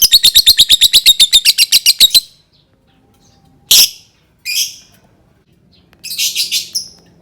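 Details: Lovebird, used to prompt other lovebirds to sing, gives a rapid run of about fifteen loud, high chirps in two seconds, then after silence a few short, scratchy squeaks and a brief buzzy chatter.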